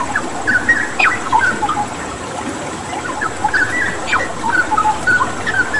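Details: Straw-headed bulbul song with water therapy in the background: liquid whistled notes come in short bursts, with a quieter gap in the middle, then resume over a steady water hiss.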